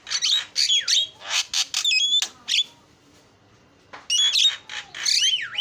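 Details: Starling lure song: loud harsh squawks with looping V-shaped whistles and a clear double whistle, then about a second and a half of silence before more rasping squawks and swooping whistles.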